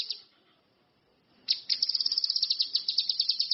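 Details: Orange-headed thrush (cucak kinoi, ranti mas) from the wild singing actively: a short high note, a pause, then a fast, steady run of sharp high chirps repeated several times per second.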